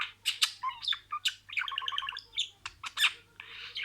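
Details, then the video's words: Pet budgerigar talking, imitating words in sequence: rapid scratchy chatter with bursts of stacked, speech-like tones and sharp clicks, pausing briefly near the end; quiet indoor setting. "SIRALI KELİMELER, MUHABBETKUŞU SESİ,MUHABBETKUŞU KONUŞMA SESİ DİNLE"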